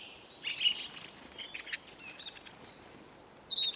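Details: Hungry Eurasian siskins at a bird table in Kolmården, Sweden: soft chirps and twittering from several birds, with a thin, very high drawn-out note in the second half.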